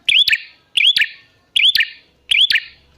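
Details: Prinia lure call for making prinias respond: four crisp, loud phrases of a sharp click and an upswept ringing whistle, spaced evenly about 0.75 seconds apart in a quiet setting.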